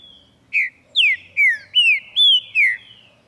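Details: Green-winged saltator singing in the morning, showing off: a faint thin whistle, then six powerful slurred whistles falling in pitch, spaced evenly about 0.4 seconds apart, with faint low murmur underneath.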